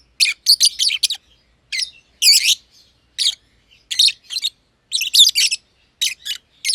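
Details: Two caged personata lovebirds, the green one under a year old and the pied one kept since early 2020, produce raspy chirps in quick clusters of three to five notes separated by short silences.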